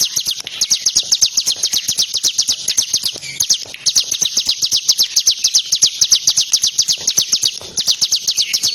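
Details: Long sustained burst of quick, evenly repeated, shrill chip notes from a tame bar-winged prinia, sung immediately while being played with using fingers.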